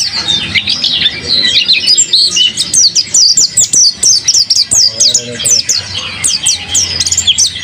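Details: Lively mountain white-eye kept by its owner: a long run of fast, high sharp chips and twitters, and faint human speech in the background.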